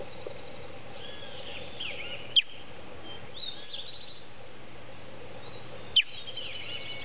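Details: Creamy-bellied thrush fledgling newly out of the nest, in a hedge in the late afternoon, apparently calling to its family: two sharp, high, downslurred chirps about three and a half seconds apart, with faint bird calls around.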